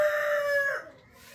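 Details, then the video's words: Rooster crowing: the loud end of a crow, a rich harmonic note held steady, then dropping and fading out in under a second. "rooster crowing sound effect | rooster crowing compilation"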